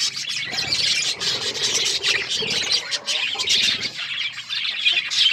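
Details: Budgerigars eating corn, a group of Australian parrots chirping; steady overlapping high twittering and chatter with scattered soft clicks.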